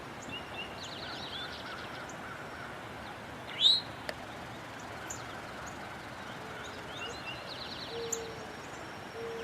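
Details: Eastern Towhee singing "drink your tea" in the background at a sanctuary, with another answering "drink tea". Two faint phrases are heard, each a few notes ending in a quick buzzy trill, one near the start and one near the end. A sharp, louder chirp sounds between them.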